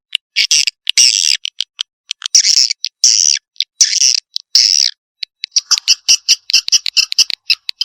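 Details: Swiftlet calling sound used to attract the birds: a dense mix of harsh, buzzy chirps and sharp clicks, first in longer rasping bursts, then a fast patter of short ticking notes.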